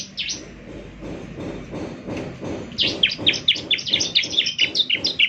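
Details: Energetic Bar-winged prinia song meant for playing each morning to prompt other prinias to reply: a faint start, then from mid-clip a fast, steady run of loud, high, downward-sweeping chirps over a low background hum.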